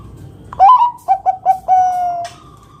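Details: Loud, vigorous zebra dove song meant to coax other perkutut into calling: an upward-sliding opening note, three short staccato coos, then a long sustained level coo, with a softer higher tone trailing after.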